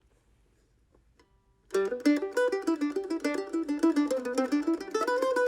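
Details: Near silence gives way after about two seconds to lively plucked mandolin music with quick repeated notes; no animal sound is heard.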